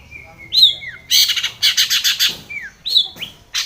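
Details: Long-tailed shrike provoking a rival with a mix of clear whistles that slide up or down, broken by a burst of harsh buzzy chatter.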